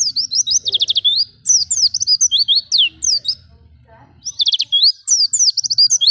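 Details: Oriental white-eye singing in the wild style used to spur caged birds into song: fast bursts of high warbled and trilled notes in phrases of one to two seconds, separated by short gaps, over a soft low rumble.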